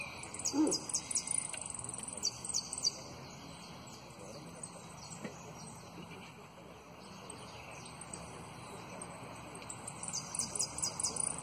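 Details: Saffron finch, a competition runner-up, delivers prio, golpe and pitadas song phrases: bursts of very high, rapid, clipped whistles and trills open and close the passage, separated by a quieter stretch with only scattered soft notes.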